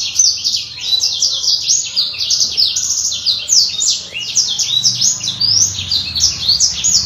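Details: Black-throated canary, a kept songbird singing energetically: a dense, continuous stream of very high, quick chirps and rolling trills, brief dips in loudness, faint low hum behind.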